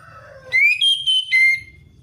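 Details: Orange-headed thrush singing in the 'ngeplong ngalas' style, used as a lure to prompt a reluctant thrush to sing: a soft lower warble, then three loud clear whistled notes, the first rising, the second high and level, the third lower, over a low hum.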